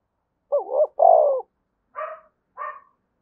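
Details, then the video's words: Vigorous 'thúc bổi' style cooing of a spotted dove: two deep, wavering coo notes in quick succession, followed after a pause by two shorter, higher, harsher notes. Quiet background. "tiếng cu gáy thúc bổi cực sung mở 100% là gáy"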